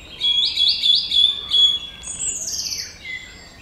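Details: Song thrush singing: a run of four bright, repeated notes near the same pitch, then a higher sliding whistle falling into a lower trilled phrase; clear, loud and close.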